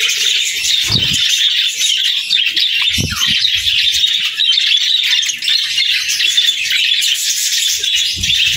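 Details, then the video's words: Budgerigars chattering in song, steady high warbling with squeaks and chirps layered densely, plus a few low thuds around one and three seconds. "Parakeet Videos | Beautiful Birds Singing"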